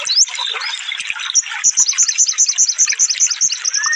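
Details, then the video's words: Cage-bird tutoring recording of a sunbird (konin) in rapid 'tembakan' song: after an opening upsweep, a steady train of high clipped notes repeats quickly for two seconds amid busy background birdsong. "suara burung konin full tembakan"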